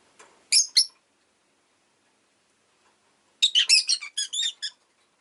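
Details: Pet rosy-faced lovebird giving a short pair of sharp, high chirps, then after a quiet pause a rapid burst of about eight bright, squeaky chirps in quick succession.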